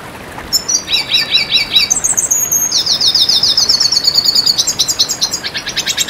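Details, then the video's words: Red siskin song used as a master and lure recording: fast high twittering, short bursts of rapidly repeated notes, chattering stuttered phrases, then a long buzzy trill and closing rapid series, delivered continuously without pause. "Masteran Pancingan Bunyi Burung Red Siskin"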